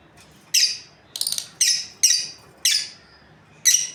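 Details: Lovebirds, a breeding pair, making piercing high chirps about every half second, one a scratchy broken squawk.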